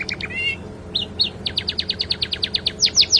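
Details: Canary song containing mimicry of the sikatan londo flycatcher, used as a master for training birds. A few whistled and wavering notes lead into a rapid series of bright chips that grow louder toward the end.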